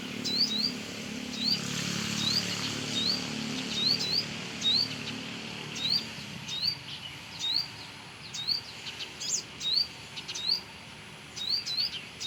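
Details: Brown-throated sunbird singing vigorously near its nest around a house: a long run of quick rising chirps, often paired, about once a second, over broad low noise that fades midway.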